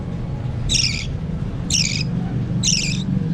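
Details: Budgerigar chicks being hand-fed utter three rasping, buzzy begging squawks about a second apart against a noticeable low mechanical hum.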